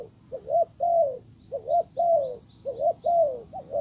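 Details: Decoy spotted dove cooing to tempt back a wild dove that turns away; low burry two-part coos with longer drawn notes, a row of quick high upslurred chirps in the middle.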